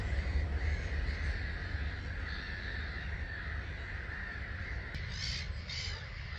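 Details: About 250,000 starlings leave a morning roost at 05:45, 21 March 2022, at Gibraltar Point NNR. Their calls merge into an unbroken chattering roar, with a brief burst of brighter, higher notes near the end over heavy wind rumble.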